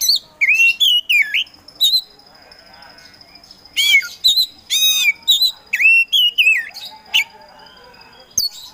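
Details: Kacer Poci, a caged Oriental magpie-robin singing to spur other birds: varied slurred whistles, dipping and rising notes, rapid clicking bursts and a steady faint high tone underneath, phrases coming in quick irregular succession.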